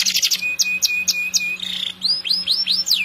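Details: Canary in long song: quick chirps, then a series of clear whistled notes on one pitch, a short buzzy roll, and rising-falling swept notes, over a faint low hum.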